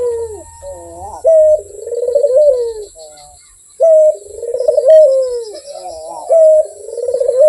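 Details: Barbary dove, known locally as puter, calling actively and sweetly: long rolling coos with tremulous, bubbling middle sections and short level notes, repeated in phrases several seconds apart, over a faint steady high whine.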